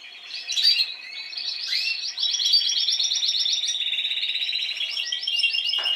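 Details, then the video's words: Spanish timbrado canary from last season singing, a few bright chirps leading into a long, even, rapidly pulsed metallic trill that holds steady and slowly drops in pitch. "Canarios Timbrados cantando"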